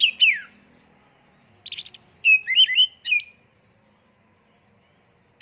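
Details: Kacer, the oriental magpie-robin, singing a lure song in full-isian tembakan style: a loud falling whistle, then a pause, a high buzzy chatter, a warbled twisting phrase and a sharp final note.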